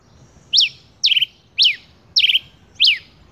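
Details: A male rufous-collared sparrow repeats a crisp high note five times, each a short up-and-down slurred whistle, some ending in a brief trill, at an even half-second pace.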